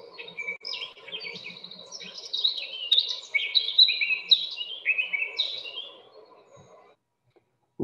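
A Eurasian Blackcap gives a six-second rush of varied chattering warble that climbs into clear, high fluted notes. A steady low hum runs underneath.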